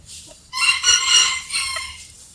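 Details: Rooster crowing as an early-morning wake-up call: one loud, strained cock-a-doodle-doo rising then fading over about two seconds.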